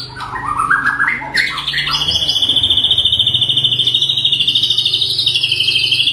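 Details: White-rumped shama in 'tembakan' style with rough variations: a rising series of notes, then a long, sharp, very rapid high trill held steadily for several seconds over a faint low hum.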